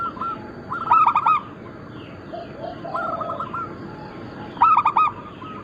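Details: Zebra doves of local and Bangkok crossbred stock, kept birds singing actively: loud bursts of rapid, rolling coo notes, with fainter doves answering in the background over a steady low hiss.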